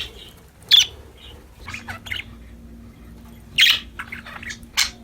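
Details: Happy pet budgerigars at play, a few sharp squawking chirps separated by quiet stretches over a faint steady hum.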